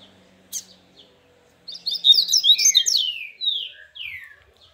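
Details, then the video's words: Minas Gerais papa-capim in the grego style: after a couple of isolated chips, a rich jumble of rapid high twitters and trills, ending in two long down-slurred whistles. "Papa capim grego de minas"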